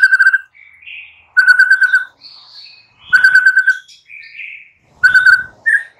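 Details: Captive white-rumped shama morning song used to prompt quiet birds to sing: loud bursts of rapid repeated notes every one to two seconds, separated by softer whistled slurs.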